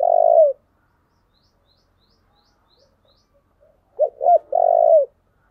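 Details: Spotted dove song used to lure wild doves. A long coo closes one phrase, then near silence follows before two short rising coos and a long, slightly falling coo.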